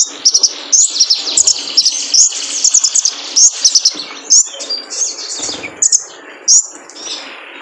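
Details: Lure recording of a male kolibri ninja sunbird for cage-bird training: dense, shrill, twittering chirps in fast bursts, nearly continuous, with soft background rustle.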